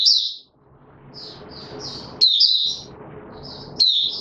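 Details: Caged male white-eye in form training, opening song, 31 December 2021: short high chirpy phrases separated by pauses, with steady low hum and background murmur between bursts.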